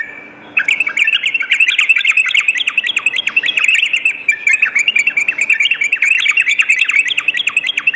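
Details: After a half-second hush, a Sooty-headed bulbul launches into nearly unbroken rapid twittering at night, quick chirpy notes tumbling over one another.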